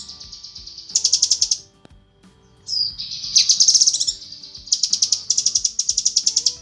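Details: A female cucak kinoi calls the male in a training track for songbirds: high, buzzy, rapidly pulsed chirp bursts, a short quiet gap, then more pulsed high trills.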